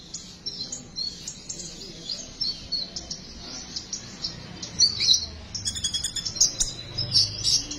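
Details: Sunbird song recording for luring and prompting sunbirds to sing: thin high twittering that grows busier toward the end, with brief sharp chirps and quick trilled notes.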